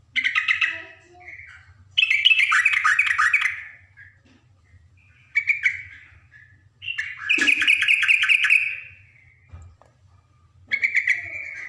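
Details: A Yellow-vented Bulbul, recorded as a wild-fighting lure to provoke bulbuls into singing back, gives bursts of bubbly chattering notes lasting one to two seconds each, with short pauses between and a low hum underneath.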